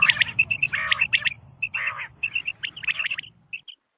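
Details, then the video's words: A female common quail calling in a field gives a quick run of high chirps mixed with short raspy, buzzy bursts, then trails off into a few soft notes over a faint low hum. "Female Quail sound | Madi Batair ki Awaz |Quail Singing in field"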